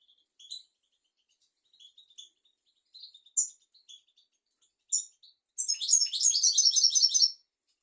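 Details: Goldfinch song for tutoring young goldfinches and canaries: scattered soft, high chips and a few louder sharp calls, then a loud, rapid, tinkling twittered trill of almost two seconds.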